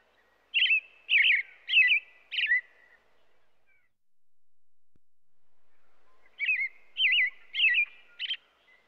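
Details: An American robin sings two bouts of caroling, four liquid warbled phrases, then a pause of about three seconds with soft low rumbling, then four more phrases in the same rhythm.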